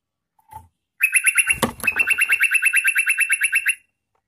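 A yellow-vented bulbul gives a rapid chattering run of about twenty bright, clipped notes, roughly eight per second, broken once by a sharp click.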